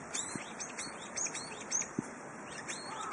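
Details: Brown-eared bulbul on a windy spring day giving a steady run of short, high, squeaky chirps over rushing wind, with two soft low thumps.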